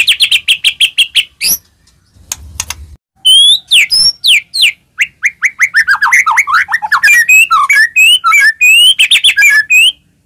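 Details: White-rumped shama song played to stir other shamas into singing: a quick trill, a brief pause, then a long, rich, varied run of rapid whistled and slurred notes rising and falling in pitch.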